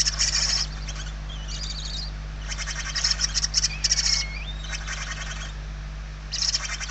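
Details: In a Spanish nest interior, hungry barn owl young give rough, buzzy hissing bursts in quick succession, with a thin rising whistle-like note slipping between the rasps. Recorded 28 November 2023.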